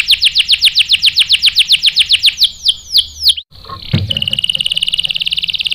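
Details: Caged canary singing, answering a female used as bait; a rapid run of downward-sweeping whistled notes slows into wider sweeps, then after a brief break turns into a fast, even, buzzy rolling trill.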